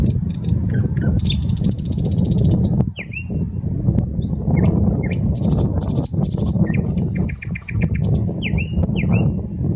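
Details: Common nightingale singing in a park on the Smolenka in Saint Petersburg, Russia. Loud rattling bursts alternate with sharp descending whistles and quick repeated notes, all against a heavy, continuous low-pitched rumble.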